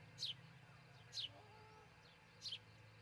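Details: Osprey at a nest in Charlo, Montana, camera footage from June 22, 2018, early morning; three sharp high downslurred chirps with pauses between, and a faint lower whistle between calls.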